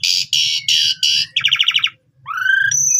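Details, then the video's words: Asian pied starling in vigorous song: four harsh buzzy blasts, then a rapid stuttering rattle, a brief silence, and a rising whistled note ending on a high thin tone, with a faint low hum underneath. "Jalak suren Gacor Full Isian Mewah Langsung Nembak Ngerol"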